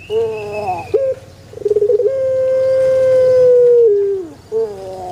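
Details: Puter pelung in a banana garden: a falling note, then a fluttering run that swells into one long, even tone held close to two seconds before dipping away.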